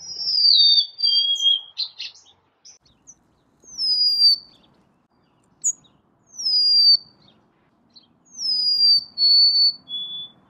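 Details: Golden-crowned sparrow singing clear, plaintive whistled phrases. Each starts high and slides downward into a held note, and some end with a lower third note. There are about four phrases with quiet pauses between them, and faint low background noise.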